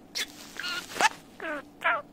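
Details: Three-year-old male pet budgerigar from Mie Prefecture, Japan, asked to sing: a string of short warbled, harmonic notes with rising and falling slides, separated by brief pauses, followed by praise from a woman in Kansai dialect.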